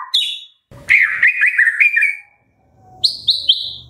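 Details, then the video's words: White-rumped shama singing in the morning, used to encourage captive birds to sing: a high whistle, then a rich warbled phrase, a pause, and three quick high whistled notes. "Pancingan Murai Pagi WHITE-RUMPET SHAMA"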